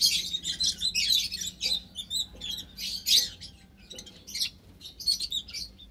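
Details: White Java sparrows, ten kept caged with several munia species in an aviary, March 2021; near-continuous high twittering chirps in overlapping bursts, with faint soft knocks from the cage underneath.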